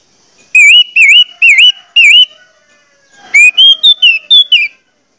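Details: Orange-headed thrush used as a singing lure for other thrushes. Four slow, wavering looped whistles come first, then a faster run of rising and falling whistled notes climbing higher before ending.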